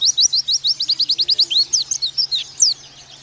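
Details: Oriental white-eye song used as a training recording to make birds sing in the rapid nembak style: a fast run of high, thin, slurred chirps, about three per second, then a few looser sweeping notes.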